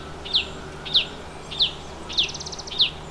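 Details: Chestnut-bellied nuthatch at its nest hole in the Himalaya: sharp, high, downslurred single notes repeated about every 0.6 seconds, plus one brief rapid buzzy trill.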